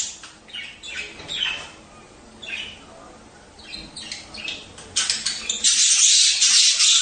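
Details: Budgerigar breeding-stimulation sounds: warbling scratchy chatter with rising and falling buzzy notes, building into a continuous loud, harsh squawking burst at the end.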